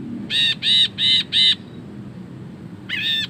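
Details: Ashy bulbul, in full song, giving four loud, drawn-out, harsh and nasal notes evenly spaced in a row, followed after a pause by one more broad grating note. Low rumble in the background.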